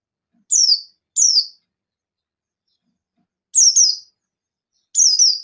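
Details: Buxton's white-eye challenging rivals: thin, very high falling chirps, first two single notes close together, then after a long gap two doubled descending twitters.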